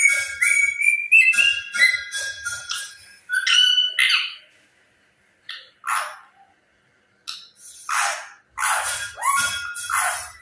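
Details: Talking parrot squawking in harsh, broadband bursts about four per second, mixed with brief whistled notes, then spaced single raspy squawks separated by silent gaps.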